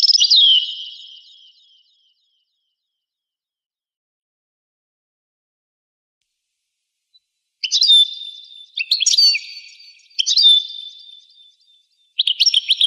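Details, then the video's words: Old 1985 recording of a European goldfinch: a fading twittered phrase, a long silence, then separate bursts of high, sharp chirps and short ringing whistles with gaps between them. "تغريد طائر الحسون"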